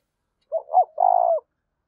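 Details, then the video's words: One soft 'thúc' phrase from a spotted dove: two short, low, hollow notes run into a longer, trilling, purred coo lasting about half a second, with silence around it. "Tiếng chim cu gáy thúc cực đỉnh vang cả buôn làng"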